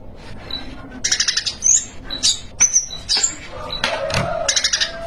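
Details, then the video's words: Spiderhunter singing busily in the 'gacor isian' style, full of added phrases: loud, high, sharp chirps, quick trilled bursts and thin whistled notes tumbling in rapid succession. "Pijantung Gacor Isian"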